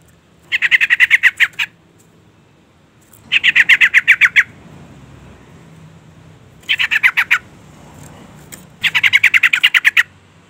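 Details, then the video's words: Agitated female yellow-vented bulbul calling for a male, giving four long bursts of fast, buzzy chattering notes, roughly ten notes each, spaced a couple of seconds apart. "suara panggilan trucukan betina EMOSI gacor pancingan bunyi burung trucuk jantan"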